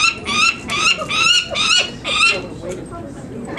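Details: Banded Peregrine falcon nestlings (three females, one male), fairly well feathered, give harsh grating distress screams in rapid series while handled on banding day, 19 May 2009, at Market Tower, Indianapolis; faint human voices behind.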